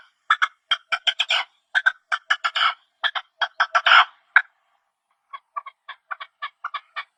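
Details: Partridges calling in their natural habitat: a rapid series of short, harsh clucking chirps in quick bursts for about four seconds, a brief pause, then a softer, evenly spaced run of similar notes. No other sounds stand out.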